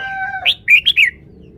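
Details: Red-whiskered bulbul, caged, showing its song phrasing. A fading harmonic tone from another sound gives way to a sharp rising whistle and then three quick, bright slurred notes, each falling away at the end.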